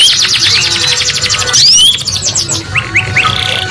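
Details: Female canary chirping, used to prompt silent males into singing; rapid repeated high chirps and sweeping whistled notes, then a few separate upward-slurred chirps, over a steady low hum.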